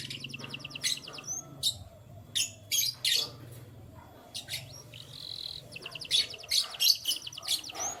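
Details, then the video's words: Morning canary song made of sharp high chirps, rapid trills and a few whistled slurred notes. Phrases are separated by short pauses, with a faint low hum underneath. "Canary Chirping Sounds"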